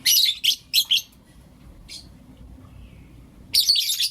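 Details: Caged Blue Opaline and Lutino Opaline lovebirds in the morning: loud, harsh, high chirps in quick bursts, several in the first second, one brief note near two seconds, then another burst near the end.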